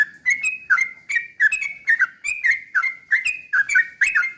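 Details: Sooty-headed bulbul singing energetically as a lure for other birds: dense, even stream of short warbled whistles with sharp clicks, roughly two to three notes a second throughout.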